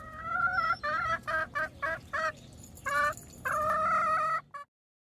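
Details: Chickens said to be in heat: a drawn-out nasal call, then a rapid run of short clucks and two more long, strained calls before the sound cuts off.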